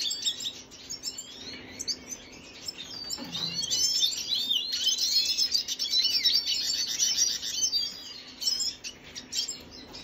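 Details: Venezuelan red siskin song recorded 25 June 2022: steady high twittering with rapid chirps and buzzy trills, growing louder mid-way, plus one brief lower sliding sound early on.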